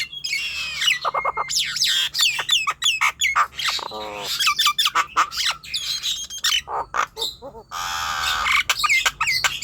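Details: Nias hill myna singing, a sound meant to stimulate young, untrained or quiet birds; about 160 loud notes a minute, whistled slurs alternating with harsh squawks and a short rattling trill.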